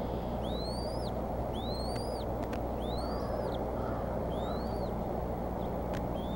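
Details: Bald eagle; begging call; chick begging during feeding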